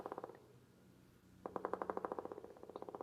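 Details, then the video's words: Pileated Woodpecker giving a fast, loud series of even wuk-wuk notes, about ten a second, in two bursts with a short pause between, played during an indoor bird talk over a faint room hum. "you hear that that's a pileated woodpecker"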